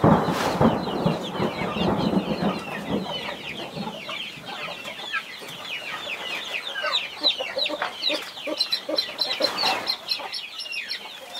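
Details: Mother hen protecting 21 baby chicks; low, rumbling clucks open the recording, then give way to a busy chorus of high, falling chick peeps with scattered brief knocks.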